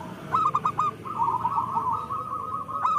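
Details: Local zebra dove singing: a few short, clipped cooing notes, then a long, even, rippling trill held at one low-mid pitch for nearly two seconds. Steady background hiss throughout.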